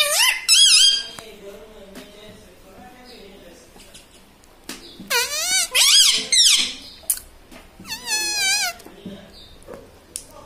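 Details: Indoor pet parrot, a green ringneck, mimicking household words such as mummy, papa and radhe radhe; a short shrill phrase opens, then after a quiet stretch come three wavering, nasal speech-like bursts.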